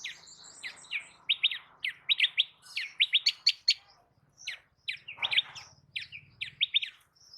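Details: Birds chirping on a village morning in India: bright, quick chirps in short clusters, several notes in a row, repeated with irregular gaps, over a faint low hum.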